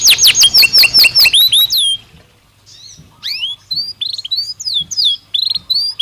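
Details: Belgian canary singing: a loud, fast two-second tour of repeated sweeping notes, a brief pause, then scattered swooping chirps and short whistled phrases.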